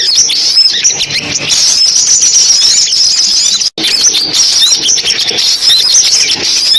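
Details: Sunbirds in a compilation played to lure birds into traps: busy, high-pitched chattering and thin whistled slurs, continuous apart from a short cut of silence midway.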